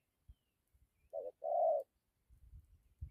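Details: Spotted dove giving a good coo in the dặm kèm gù style: a brief low note followed by a longer, slightly wavering hooted coo, with soft knocks and rustles before and after.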